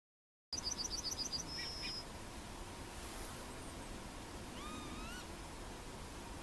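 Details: Yellowhammer (Emberiza citrinella) recorded at Plochocin in July 2013: a fast series of about eight high, short chirped notes followed by a longer drawn-out high note, with faint other birds whistling later over steady background hiss.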